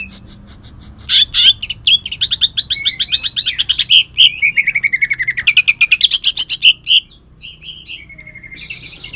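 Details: Kalimantan cucak ijo, a green leafbird, delivering rough 'tembakan' song enriched with cendet mimicry. A long torrent of very rapid buzzy repeated notes runs for about six seconds and ends in a softer whistle.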